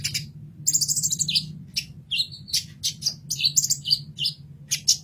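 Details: Kolibri ninja sunbird giving a fast masteran song: dense, squeaky, high twittering with short slurred notes and brief trills, packed closely together, with a low constant hum behind.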